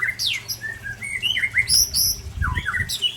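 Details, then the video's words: Two Aceh white-rumped shamas, Ujong Pancu and Tangse types, sparring: clear whistled phrases sweeping up and down, mixed with sharp high chips and quick slurred notes, low thumping underneath. "Murai Ujong Pancu sparing dengan Murai Tangse"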